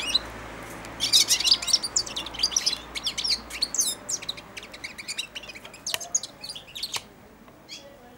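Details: Four-month-old European goldfinch in a cage, perched by and on the hand that feeds it every day, giving early babbling song. A dense run of rapid, tinkling, buzzy twitters fades into scattered soft clicks and chirps.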